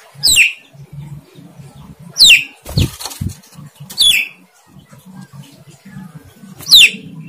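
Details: Javan myna kept by its owner, which is said to try to talk: sharp, high, downward-sweeping whistles repeated every one to two seconds, with a brief burst of flapping or rustling in between and low background hum.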